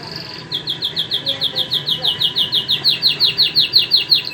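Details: White and crested canaries singing: one brief high note, then a long even run of quick down-slurred whistled notes, roughly three per second, growing steadily louder over a faint background hum.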